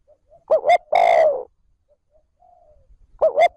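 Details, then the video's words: Decoy spotted dove, caged, giving its steady 'trơn ròng' lure call: two brief hoarse notes followed by a long sustained coo, then silence before the next pair of short notes begins. "Tiếng cu gáy trơn ròng thúc gù gáy kích bổi nhanh nổi / Cu gáy gọi trơn ròng"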